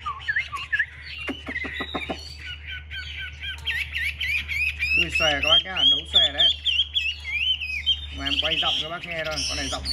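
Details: A captive male Chinese hwamei, kept as a fighting songbird, pours out a loud, varied song of rich whistles and rapid rolling trills, with harsh chattering notes mixed in and a steady low hum behind.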